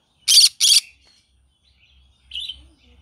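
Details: A green-cheeked conure in the morning lets out two sharp, grating screeches back to back, followed after a pause by a short, softer chirping squawk.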